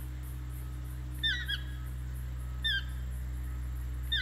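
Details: Toucan in Ojochal, Costa Rica, giving three yelping calls roughly 1.5 seconds apart, each made of short downward-slurred ringing notes, with a rhythmic insect buzz high above and a steady low rumble beneath.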